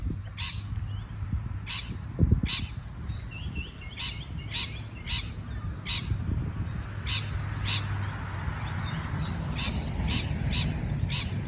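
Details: A parrot repeatedly gives brief, grating chirps at uneven intervals, some quieter twittering between, over a constant low-pitched background noise with one sharp knock early on.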